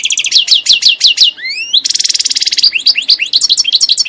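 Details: European goldfinch (chardonneret) in full song: rapid high twittering of downslurred notes, a rising whistled glide, then a dense buzzy trill lasting under a second before more quick liquid twitters resume.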